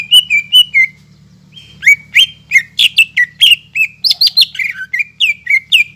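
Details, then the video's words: Greater green leafbird song used as a lure for birds that have stopped singing: a few falling whistles, a short pause, then a fast medley of sharp chirps, rising and falling whistles and squeaks, over a faint hum. "PANCINGAN CUCAK IJO GACOR BUAT CUCAK IJO MACET BUNYI,MALAS BUNYI"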